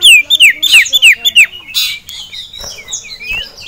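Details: Male common iora in a cage, roused by a rival and a female, gives a fast volley of loud, sharp, downslurred whistles about five per second, then quieter twittering and a brief rustle.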